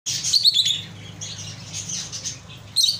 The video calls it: love birds singing